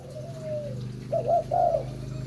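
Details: Spotted dove of the Malaysian type, a breeding bird, cooing: one soft drawn-out low note, then two louder wavering coos, over a faint steady low hum.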